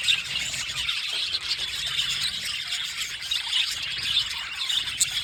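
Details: Continuous high chirping from two blue male budgerigars, a thick stream of scratchy, squealing twitters and clicks running the whole time, slightly louder near the start and end.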